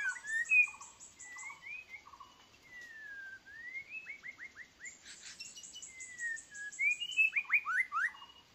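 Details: A white-rumped shama kept as a lure bird, which the owner considers too weak, sings a rich, varied run of clear whistles, slurred rising and falling notes and quick chattering trills, with thin high notes above.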